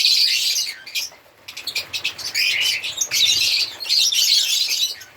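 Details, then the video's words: Chirping and singing African lovebirds make a shrill, busy twittering of high squeaky notes, thinning briefly in the middle before a loud burst of chatter resumes. "Lovebirds singing sound/Lovebirds sound/African Lovebirds singing and chirping sound"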